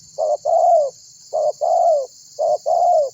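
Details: Tekukur calling lively, used as a lure to draw other birds to call and for trapping: three short two-part coo phrases in quick succession, each a brief low note followed by a longer, falling hoarse coo, roughly once per second.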